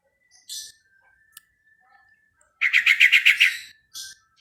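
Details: Yellow-vented bulbul calling to other bulbuls with its typical chatter: one rapid burst of about seven harsh, buzzy notes lasting a second, with brief high, hissy chips just before and after.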